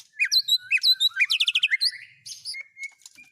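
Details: White-rumped shama with mimicked cililin, canary and lovebird fill-ins: a loud patter of high chirps and buzzy notes, fading to soft level whistles.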